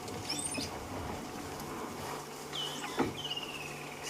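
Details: Unseen birds in a tree on a 28 December sunset drive near a buffalo herd, thought to be a flock of wattled starlings, make an astonishing, mammal-like noise: thin, squeaky whistles and drawn-out, slightly falling notes over a low engine hum.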